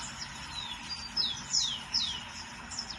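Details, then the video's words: Lined seedeater in the wild: a few thin, quiet whistled notes slurring steeply downward, spaced roughly every half second over steady background noise. "bigodinho na natureza"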